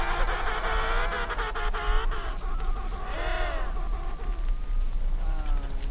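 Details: Emperor penguin colony on the first day of eggs hatching: overlapping distant calls from birds in huddles, rich, trumpeting and wavering, several at once, over a strong low rumble of wind.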